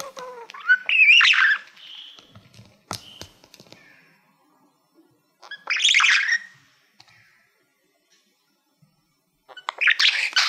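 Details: Pet budgerigar, a male that loves mirrors, singing to a shiny silver award: three short bursts of squeaky, buzzy warbling separated by long quiet gaps with scattered clicks.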